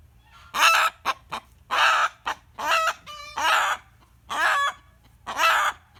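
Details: A rooster reacts to a hen's cackling with its usual screaming. Harsh, hoarse squawks follow one another roughly every second, mixed with short clipped yelps, and a thin tonal cluck sounds around three seconds.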